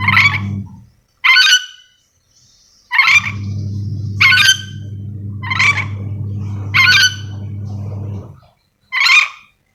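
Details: Yellow-and-green lorikeet, a parrot endemic to Sulawesi, calling: harsh, buzzy screeches repeated about every one to two seconds, over a steady low droning hum through the middle.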